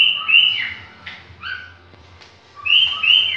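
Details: Pet cockatiel copying green-winged saltator song, giving bright whistled notes that slide downward, a short pause, then another pair of high whistles; faint low hum underneath.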